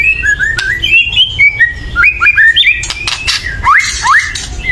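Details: White-rumped shama giving an agitated call used to provoke birds to sing: a string of short bright whistled notes stepping up and down, then two hooked upward slurs, over faint rustling.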